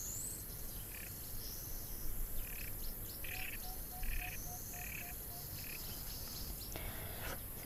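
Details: Red-billed teal call, described as unusual, played at an African waterhole: a series of short, raspy notes, about two per second, over a steady low outdoor rumble.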